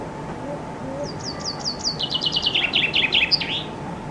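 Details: Loud summer song of a common chaffinch that came to sing under a window, recorded from a loggia using a Canon IXUS 220 HS camera: spaced high notes quicken into a descending rattle ending with an emphatic flourish; faint low calls beforehand.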